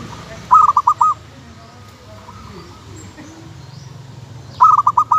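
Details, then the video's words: Local zebra dove (kutut lokal) song: a bubbling phrase of four or five quick coo notes, repeated after about four seconds, over a soft hiss and low hum. "suara kutut lokal yang bikin heboh"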